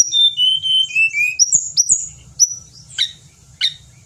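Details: Indonesian pied bushchat song of clear descending whistles and drawn-out high notes, followed by a few sharp, scratchy chirps with gaps between them.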